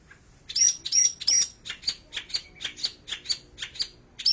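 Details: Long-tailed shrike singing, recorded with an Android phone: a few thin, high whistled slurs followed by a rapid, fairly even series of sharp chips, around three per second.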